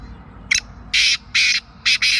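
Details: Sindh, Pakistan black francolin delivering a loud rasping phrase: a brief opening chip, two long coarse buzzy notes, then two tight short bursts to finish. Quiet background otherwise.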